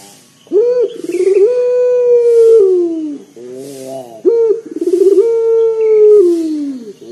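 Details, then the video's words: Local collared dove cooing loudly with a deep, bassy voice, used as a lure to set other birds singing; a short rolling trill runs into a long steady low coo that slowly falls, the phrase given twice. "PUTER LOKAL GACOR DOR SUARA BESAR NGEBAS 100% UNTUK PANCINGAN"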